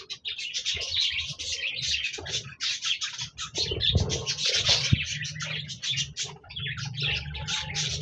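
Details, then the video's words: Chorus of budgies singing, recorded 26 January 2024: dense, unbroken scratchy chattering and quick high chirps throughout, with a faint low rumble underneath. "Budgies Birds Singing Chirping Sounds Parakeets sounds"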